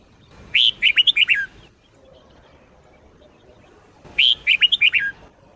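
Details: Red-whiskered bulbul performing Sông Kôn style song for daily training: two matching phrases about 3.5 seconds apart. Each has a sharp upswept opening note and six fast, warbled whistles dropping at the end. The pause between them is quiet.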